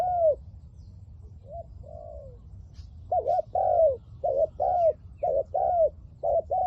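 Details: Decoy spotted dove luring wild doves with 'liu tan' style cooing: a few soft, spaced coos, then a quickening series of stuttered and arched coos about once a second, with faint distant chirps.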